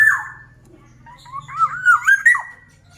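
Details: Black-naped oriole singing actively: a downslurred whistle, a pause, then a rich fluty phrase of rolling, wavering whistles that rises toward the end, with a faint low hum beneath.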